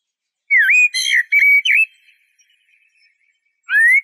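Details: Eurasian blackbird song: a fluty whistled phrase with a dipping opening note and short warbles, then a silent pause before a clear rising whistle begins. Clean recording with no other sounds.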